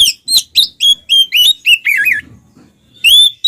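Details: Twin Oriental magpie-robins singing in the loud, continuous ngeplong style, used to provoke silent magpie-robins into singing: sharp whistled notes, upward and downward slurs, and a warbling phrase, bright and high.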